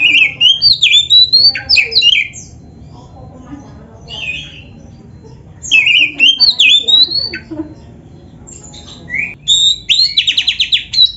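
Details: Oriental magpie-robin song as a training recording for caged birds: bursts of high, rapid whistled and squeaky notes in varied phrases, separated by quieter gaps with low background hum.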